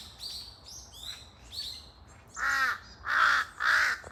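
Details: Small birds chirp and twitter at first, then large-billed crows, a pair calling noisily in forest, break in with three loud, raspy caws in close succession.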